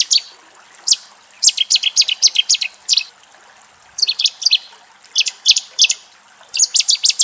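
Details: Wild Cetti's warbler song from Axios Delta National Park, Thessaloniki, Greece: abrupt, emphatic strings of sharp, high metallic notes in several short bursts with brief gaps, steady faint hiss behind.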